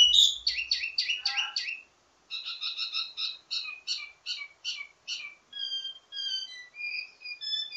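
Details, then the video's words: A wambi mini gives a varied ledekan (teasing) song for tutoring its own kind: quick clustered chirps, a brief pause, then long series of short high notes changing into thin level whistles. "Ledekan Wambi mini Full Gacor Banyak Vareasi"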